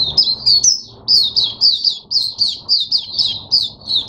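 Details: Captive Oriental white-eye opening into song, recorded 5 May 2022. Loud, sharp high chirps fall in quick succession, about three to four notes a second, with brief breaks between runs.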